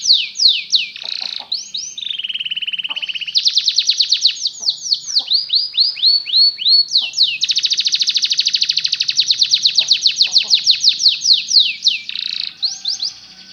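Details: Belgian canary singing, played to help canaries learn to sing: long run of rapid repeated trills between high and middle pitch, fast rolling bursts and sweeping downslurred notes, changing phrase type every second or two, a steady buzzy tour near the middle.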